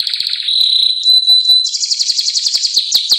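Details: Domestic canary in full song: a sustained high whistled tone, then rapid pulsed trills repeated several times a second, ending in sharp chirped notes.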